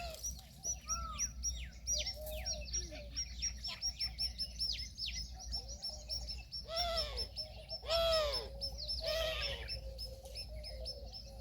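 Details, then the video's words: Peahen, the female Indian peafowl, giving three loud, harsh, honking calls rich in overtones, about a second apart in the latter half, over a dense backdrop of high, quick chirps from many small birds. "Peahen bird the Indian peacock/most clear sound"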